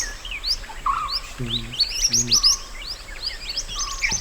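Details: Wild mountain white-eye song, used as master song for training other birds: rapid high twittering with quick rising and falling notes, plus a steady lower whistle and two short low harmonic bursts in the middle.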